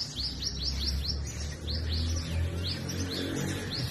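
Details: A sunbird at its hanging nest, feeding and protecting its young, gives quick, thin, high chips, about two or three a second in two short bursts, over a steady low hum.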